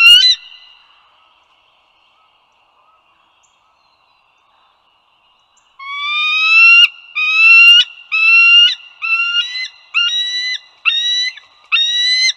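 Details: Bald eagles along the Dulles Greenway, northern Virginia, USA, on 16 April 2022 at 08:55. A short note opens, then about five seconds of near silence, then a regular series of shrill, rising whistled notes with strong overtones, roughly one per second.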